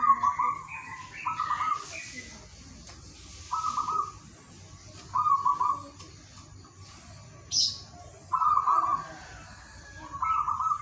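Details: Local wild zebra dove singing in the morning, used to coax reluctant doves into song: short trilled cooing phrases at mid pitch, repeated every one to two seconds, with small birds chirping higher in the background.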